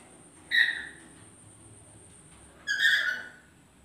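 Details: A pair of lories together; one gives two harsh, grating screeches about two seconds apart, over a thin, steady high-pitched whine.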